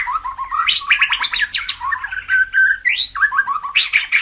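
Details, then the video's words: White-rumped shama song used to stimulate caged birds into fighting form: a rich, fast run of varied whistled phrases, sliding notes and sharp chirps, rising and falling without pause, over a faint low hum. "tiếng chích chòe lửa hót dùng kích chim căng lửa hiệu quả"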